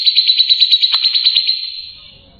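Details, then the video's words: Long-tailed shrike, a kept songbird, giving a high, steady trill of rapid even pulses that fades away toward the end, with a brief click partway through. "masteran burung cendet gacor"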